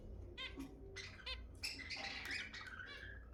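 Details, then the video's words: Zebra finch song played to stimulate mating in kept birds: nasal, stacked-harmonic notes in short bursts, then a dense jumble of buzzy and squeaky notes with faint low background hum. "تحفيز الزيبرا على التزاوج 10 دقائق من أصوات الزيبرا المحفزة"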